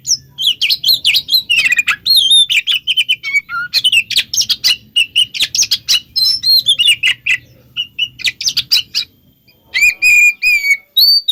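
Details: Oriental magpie-robin lure song, meant to make other magpie-robins answer, mixed for bird keepers: loud, varied whistles, rapid chirps and sliding notes in quick bursts, with a brief pause near nine seconds before fresh whistled phrases.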